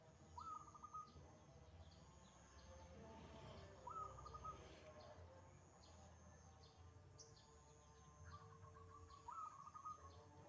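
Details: Wild zebra dove singing actively in the morning: three cooing phrases, each opening with a rising note then a short run of level pulsed coos, spaced about three to five seconds apart over a steady background hum and faint insect buzz.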